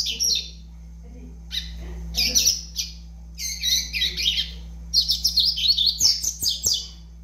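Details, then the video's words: Double-collared seedeater, a young bird of five months, giving short bursts of high chattering twitters separated by brief pauses, growing denser toward the end, with a faint steady hum underneath. "FILHOTE DE COLEIRO AVAX 5 MESES DE VIDA"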